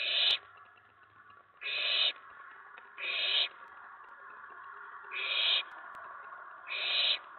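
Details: A nest-box owlet on the night of 19 May 2017 grows excited when an owl lands on the tray following a mouse delivery. Five harsh, breathy screeches come at uneven intervals of one to two seconds.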